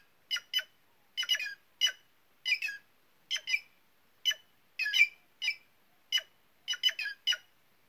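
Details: Steady run of about twenty rough, nasal squawks from a White-naped jay over eight seconds, grouped in twos and threes with brief pauses, nothing else audible.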